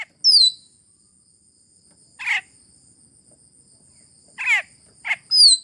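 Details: Asian glossy starling lure call from Sulawesi: a sharp descending whistle, then harsh buzzy bursts at uneven gaps and a closing whistle, over a steady thin high-pitched whine.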